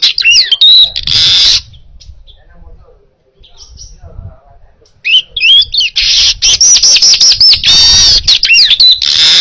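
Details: Baya weaver singing vigorously in a clear recording made for training other birds: rapid high chattering notes and whistled slurs, a pause, then a long buzzy, sizzling trill with repeated wheezy notes.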